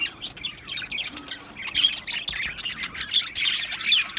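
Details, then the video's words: Australian budgerigars in an aviary colony, recorded 12 July 2025, giving a busy mix of high chirps, warbles and short squawky notes that rise and fall in loudness, with louder bursts toward the end. "Australian Budgie Chirping Sounds"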